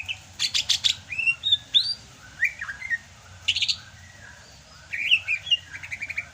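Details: Greater green leafbird from Sumatra singing vigorously in the rainy season: varied clear whistled phrases, rising and falling slurs around the upper range, mixed with bursts of rapid harsh chattering notes, in lively clusters with short pauses.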